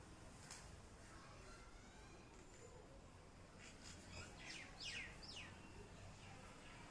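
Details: Common myna chirping in a terrace garden: a cluster of quick downward-sweeping chirps late in the sequence, after quieter faint calls, over constant low hum.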